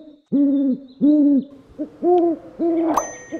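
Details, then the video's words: Owl giving four hollow, low hoots, each roughly half a second long with a slight rise and fall, spaced about half a second apart; a faint bell-like ding sounds near the end. "SOM DE CORUJAS - DIVERSAS E INCRÍVEIS CORUJAS - OWL SOUND - CANTO DAS CORUJAS"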